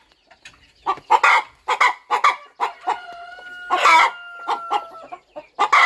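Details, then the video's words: Hen on her nest in a quiet farm corner, readying to hatch eggs: scattered sharp clucks, then a long level whining note held for about two seconds, followed by more clucks. "Hen Clucking Sound Effect! Mother Hen Gets Ready to Hatch Her Eggs"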